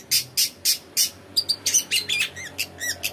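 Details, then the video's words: Long-tailed shrike song used as a lure: a rapid run of harsh rasping notes followed by varied chattering and short downslurred whistles, about three or four notes per second, with faint low hum behind. "TOET TOET PANCINGAN CENDET GACOR ISIAN"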